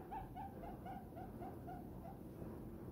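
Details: Contented diamond dove resting in an owner's hand, uttering a quick series of soft, low, short coos at an even pace against faint background noise.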